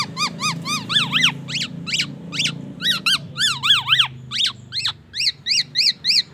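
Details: Singing black-naped oriole mimicking an oriental magpie-robin and an ambulance siren, delivering a brisk, steady stream of bright, overslurred whistles, often doubled, at roughly three notes per second.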